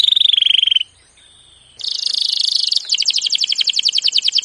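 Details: Canary training song opening with a long, steady whistled note, a brief pause, then a buzzy rattle and a rapid pulsed trill.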